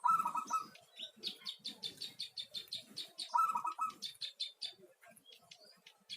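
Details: Local zebra dove singing; two short rolling coo phrases three seconds apart, mixed with a long series of rapid, high pulsed chirps from another bird throughout.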